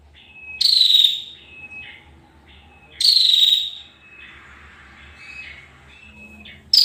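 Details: Two high, raspy, pulsed trills from a female bar-winged prinia, roughly two seconds apart, each slightly falling. Thin level whistles fill the gaps, and a third trill begins at the end. A faint low background hum is present.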